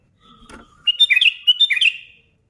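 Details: Sooty-headed bulbul in energetic song, meant to make other bulbuls sing: a soft click and faint note, then a quick cluster of bright, bouncing whistled chirps in two close groups.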